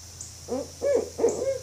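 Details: Barred owl giving three loud hoots about 0.35 s apart. Each is a short, full note with a slight upward bend, and the background is quiet.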